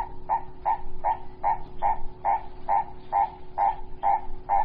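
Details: Purple-crested turaco recorded in a garden in February 2018: a steady series of loud, hoarse, croaking kok notes, about two to three per second, over a faint low hum.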